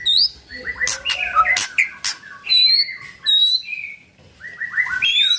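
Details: White-rumped shama singing to get other shamas to join: high upslurred whistles, buzzy notes and sharp clicks in short bursts separated by brief pauses.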